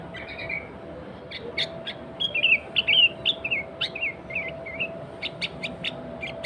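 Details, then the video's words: Sooty-headed bulbul (kutilang) song intended to provoke and attract other bulbuls: a whistled note, sharp chips, a lively burst of twisting warbled whistles, then more spaced clicking chips, with a low steady hum. "Kutilang Gacor Suara Asli Tanpa Isian, Sangat Cocok Untuk Pancingan Kutilang Bahan Dan Ombyokan."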